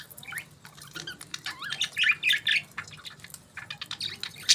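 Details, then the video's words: Budgies in the morning give soft, sputtering chirps rising into louder trilled squawks and warbles, then quick twitters. "Budgies Morning Chirping Sounds"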